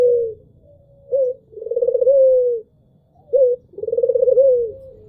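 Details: Albino Barbary dove giving soft, low coos: short clipped notes followed by longer wavering coos that sag slightly at the end, repeated about every two seconds in a quiet room.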